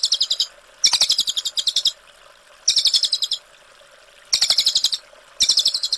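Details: Rapid staccato rolling trills from a brown cililin in clear 'ngerol' style, high and rattling, in bursts roughly a second long with brief gaps, set against a faint continuous hiss.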